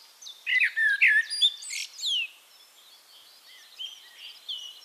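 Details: Eurasian blackbird from Castricum, the Netherlands: a short burst of fluty warbles rising into high squeaky scratchy notes, followed by quieter distant twittering of other birds.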